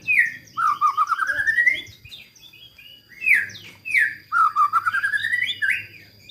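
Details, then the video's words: Caged White-rumped shama (murai batu) in full lively song with rich varied phrasing: long descending-then-rising whistled sweeps, sharp chips and rapid high trills, repeated in bursts; faint low hum underneath. "BURUNG MURAI BATU gacor isian mewah"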